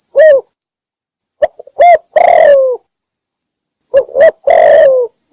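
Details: Cambodian recording of a spotted dove call used as a lure for trapping: short coos followed by a long, loud, downward-sliding coo, repeated twice with pauses between, over a steady faint high tone.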